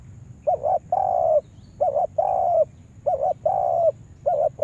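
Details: Cooing of a spotted dove serving as a lure bird: three rounds of a short doubled coo followed by a longer sustained coo, then another doubled coo at the end.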